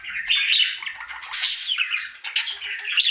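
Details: Happy singing male pet budgerigar during his daily routine: harsh chattering warble with sharp high bursts and squeaky chirps, loud and nearly continuous.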